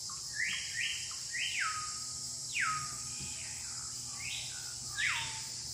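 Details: Budgerigars playing with each other give a series of sharp chirps, each sliding steeply downward and ending in a short level tail, repeated roughly every second, over a steady high-pitched hiss throughout.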